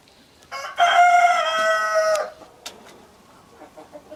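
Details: Rooster crowing: one loud, drawn-out crow of about a second and a half that holds a steady pitch and breaks off abruptly. Quiet clucking from other chickens follows.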